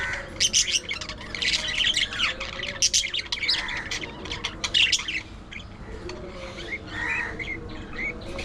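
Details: Busy budgie chatter: continuous scratchy warbling, squeaks and harsh squawks for about five seconds, then softer scattered chirps and buzzy notes.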